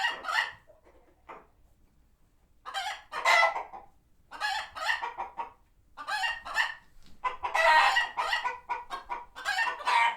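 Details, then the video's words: Flock of chickens at a non-profit farm sanctuary, alarmed by a passing hawk; bursts of loud squawking clucks separated by short quiet gaps, growing denser and more agitated toward the end. "Chickens Gone Wild | Farmyard Frenzy |Authentic Clucking Sounds"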